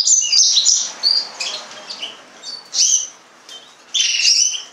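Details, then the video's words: Yellow-fronted canary singing in short, high twittering bursts with a quick trill and sharp slurred notes, spaced by quieter gaps over a faint background hiss. "mozambik kanaryası, green singer, serinus mozambicus"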